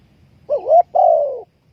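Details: A single spotted dove phrase used to lure birds into a trap: a short wavering rising note followed by a long, steady, slightly falling coo.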